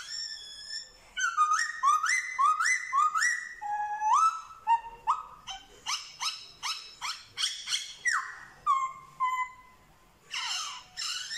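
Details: A black-throated laughingthrush from Vietnam that copies dogs, cats and chickens sings long series of rising whistled notes in quick succession, switching to sharper clipped notes and ending with lower slurred whistles and a harsh burst.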